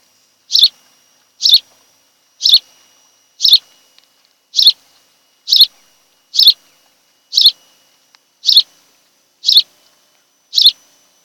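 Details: At a Kent Island, Maryland nest of a mated osprey pair, 26 July 2018, afternoon: a steady train of about eleven short, piercing, high chirps, spaced roughly one second apart, with a quiet background.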